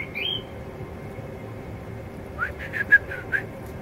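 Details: A male blackbird sings quietly to himself in a yard with ivy. A rising whistled note opens, then after a pause comes a quick run of five or six short, clear, warbled notes over a constant hum.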